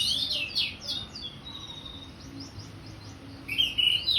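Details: Orange-headed thrush, a kept songbird, singing in a lively full-voiced style: quick high sweeping and slurred phrases, some with down-slurred notes, a long thin note in the middle, then a bright burst of varied notes at the end.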